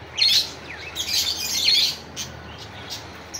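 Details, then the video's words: Calling a rival, a budgerigar gives loud, rapid, scratchy warbling chirps in a continuous run for about two seconds, followed by fainter single notes. "suara parkit memanggil lawan"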